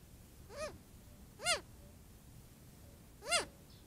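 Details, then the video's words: Young Cooper's hawk complaining to its mother at a watering hole during hot weather: three separate whiny, arching squeals, each rising then falling, spaced about one to two seconds apart over steady background hiss. "Young Cooper's Hawk Complains to its Mom"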